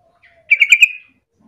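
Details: Lure song of an actively singing sooty-headed bulbul meant to prompt other bulbuls to sing: one quick bubbly phrase of four rich, slurred notes running together, then a brief trailing tone, in a quiet setting.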